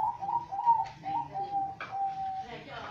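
Zebra dove giving soft, rolling coos: a wavering trilled phrase, then a longer, steady, level note. A faint indoor murmur sits underneath.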